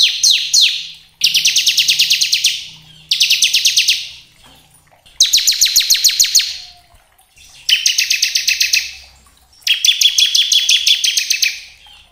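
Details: Bar-winged prinia of the crystal type, song used as a lure to provoke other birds into singing: six bursts of rapid, buzzy repeated notes, each lasting about a second, separated by brief pauses.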